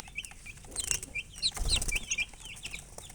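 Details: Young chickens chirping rapidly, overlapping high peeps at varied pitches, some rising and some falling, with a low thump and scuffling underneath.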